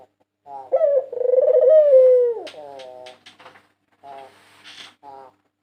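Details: Song of a white Barbary dove, a 2022 national champion, kept as a training and luring recording: short trilled notes, then a long rolling, pulsing coo that slides gently downward, ending in a few brief clipped coos.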